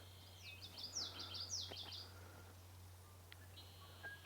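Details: Red-winged Blackbird in a tree at Sargeant Bay Provincial Park, British Columbia, on a warm, sunny May 3 morning, with many others around: a rapid two-second burst of sharp, high chattering notes, then a couple of thin whistles over a low hum.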